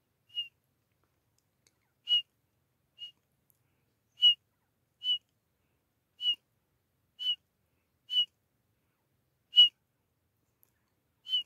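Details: Calls of a grey francolin pair, as used by hunters: ten brief, bright whistled notes at the same high pitch, spaced unevenly about a second apart, with no other sounds.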